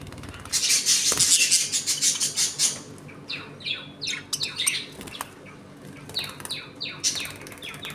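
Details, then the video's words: Budgerigars in a home colony, eating, playing and fighting, give dense high chirps and squawks, a loud burst of chatter at first, then quick downward-sweeping chirps repeated several times a second. "Budgies Eating and play time in my home colony."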